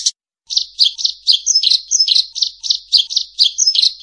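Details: Eurasian tree sparrow calling clearly and loudly: a quick series of sharp, high chirps, some doubled, about three to four per second after a brief pause, with no other sounds.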